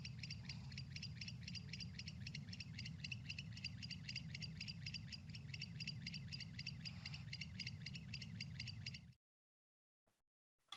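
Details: A barn owl (Tyto alba) in the Agoura area gives its screech call, a harsh, hissing screech in rapid rasping pulses about four a second, over a steady low hum, stopping abruptly near nine seconds.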